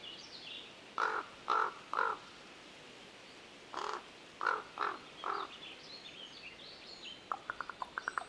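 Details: A Common Raven at Yuba Pass in Tahoe National Forest, Sierra, California, gives two groups of hoarse, throaty croaks, three and then four. They end in a quick, dry run of wooden knocking notes, an unusual "knocks" sound, over a quiet background.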